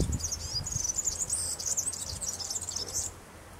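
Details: Barn swallow chicks in the nest, in the days before fledging, give a continuous, very high, thin twittering chatter for about three seconds, then fall silent over a low rumble.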